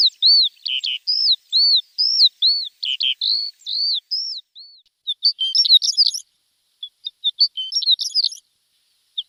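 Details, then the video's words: Javan bush lark training song for untrained birds: evenly spaced arched whistles at first, shifting to scratchy, buzzy high twitters with short pauses. "Masteran Branjangan!!"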